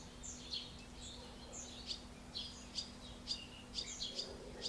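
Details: A pair of barn swallows feeding one of their chicks in Alzira, Valencia, Spain, in late June 2016. They give high, thin chirps and buzzy twitters about once a second over a faint steady hum.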